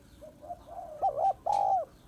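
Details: Female spotted dove calling to rouse males: soft low rising coos lead into a loud wavering note and a long sustained, slightly falling coo.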